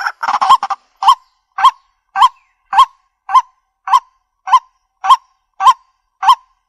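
A waterhen opens with a harsh, jumbled burst, then gives a steady run of nasal, honking notes, about two each second, all alike in pitch.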